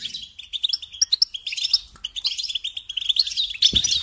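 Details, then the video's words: European goldfinch song of rapid tinkling chirps and squeaky high notes, ending with a brief low knock. "Supporting and Singing Along with Goldfinches"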